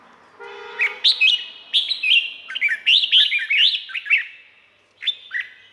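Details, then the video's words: Red-whiskered bulbul song from Thailand, for training or stirring up cage birds: a long, lively run of rapid, chattering, liquid whistled notes, with a short pause before a final brief phrase. "เสียงนกกรงหัวจุก สำหรับต่อ หรือ เปิดให้นกคึก เสียงเพราะๆ"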